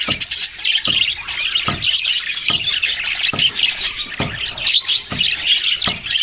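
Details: Budgies keep up steady chirping and squawky twittering, several overlapping high voices, broken by regular short tapping clicks roughly once a second.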